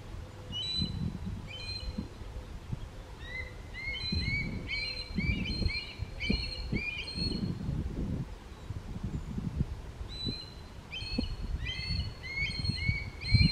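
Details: A juvenile red-tailed hawk in summer, no longer fed by its parents, crying for them with thin, rising, scratchy cries in quick bunches of two to four, over a steady rumble of wind.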